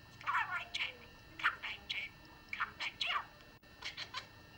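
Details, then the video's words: A pet talking budgerigar reciting phrases indoors: quick, squeaky, chattering syllables in short clusters with brief pauses between words. "Incredible Speaking Bird Says Prayers & Rhymes"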